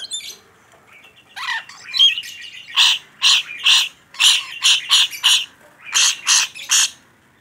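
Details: Vocal rainbow lorikeet: a burst of scratchy chatter followed by a rapid run of about a dozen loud, harsh, shrill screeches, several each second, then silence.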